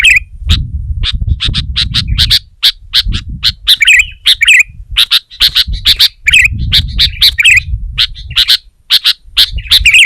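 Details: Rival-pressing song of a sooty-headed bulbul that agitates other bulbuls: fast, crowded chirping with repeated bubbly slurs throughout, over intermittent low rumbling.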